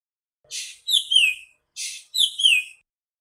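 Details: Nightingale singing: two short phrases about a second apart, each a brief hissy burst followed by bright high whistles that slur downward, with silence between them.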